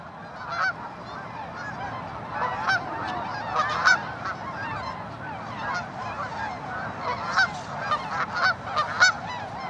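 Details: Spring flock of tundra swans mixed with geese and ducks at Ninth Line, Mississauga, Canada, March 2013; a soft background murmur of many birds broken by louder, clear, bugling honks spaced every second or two.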